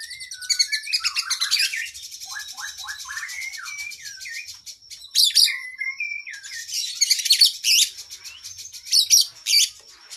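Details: Oriental magpie-robin in an energetic masteran for cage birds, full of isian: twittering trills, a run of repeated slurred whistles, scattered chirps, then loud ringing bursts separated by short pauses.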